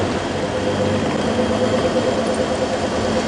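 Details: A vehicle engine idles with a steady hum and a faint whine, and no animal sound is heard.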